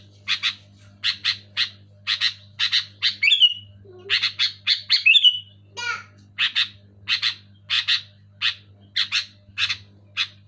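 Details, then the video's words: Sooty-headed bulbul in full voice, played to rouse quiet caged bulbuls: steady run of harsh paired chirps with two rising-then-falling whistled slurs, plus one brief low sound, over a soft hum. "Suara burung kutilang gacor keras jelas cocok untuk merangsang burung kutilang macet malas bunyi"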